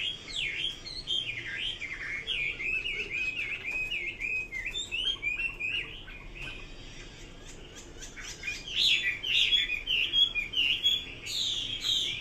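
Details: Chinese hwamei singing a varied stream of loud, rich whistles that rise and fall in quick zigzag phrases, pausing briefly midway before a louder burst of slurred notes.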